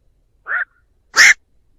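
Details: A black-crowned night heron calling its flock, used to lure birds: a short nasal, slightly falling note followed after half a second by a louder, broad rasping croak, in silence.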